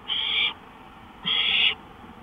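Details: Owl at night on a porch, 1:53 AM, May 5, 2013, giving two long, harsh hissing screeches, each about half a second, with roughly 0.7 seconds of quiet between them.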